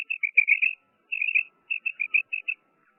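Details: Female common quail, locally batair, calling in quick clusters of short, high, chirping notes, three to six per burst with brief pauses between, over a faint steady electronic tone.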